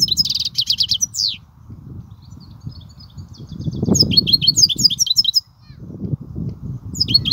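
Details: European goldfinch, kubiya-style song: an opening buzzy trill, then sparse thin notes building into quick high twittering phrases, a pause, and a final chirp, with low rumbling noise beneath.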